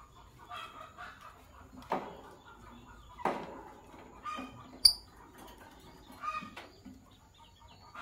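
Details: Morning chatter from a green couple of Fischer's lovebirds: scratchy, harsh chirps in uneven bursts about every second or so, a few louder squeaks standing out, with quiet background hiss.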